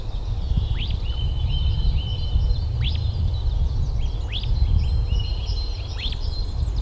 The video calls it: Mandarin Duck Quacks and Calls